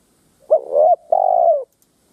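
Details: Lure Spotted dove calling to provoke rival wild doves: a single loud two-part coo, a short bent note followed by a long, steady, slightly falling hoarse note.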